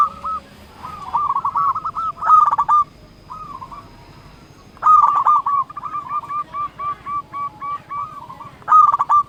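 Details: Local zebra dove singing to challenge rivals and provoke other doves into answering. Several phrases of quick, bubbling coos, each opening with a stuttered burst and then settling into a steady run of repeated notes.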